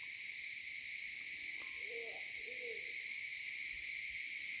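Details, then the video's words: Maleo on Sarva Island, Kampung Ugar, captured with a mobile phone: a soft pair of low, slightly wavering hooting notes over constant buzzing insects. "Burung Maleo"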